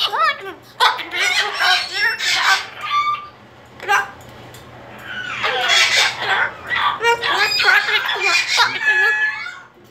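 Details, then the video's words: Female pet cockatoo freaking out inside the house as she is taken back to her cage: rough, scratchy screams and jumbled squawks, a burst-filled opening, a short lull, then a long continuous raspy outburst. "Cockatoo freakout"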